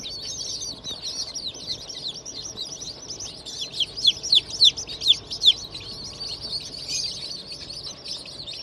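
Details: A fresh hatch of Black Australorp, Sussex and Fayoumi chicks, 25 May 2023: a crowded chorus of shrill peeping, with a few louder sharp peeps standing out in a run of about five near the middle.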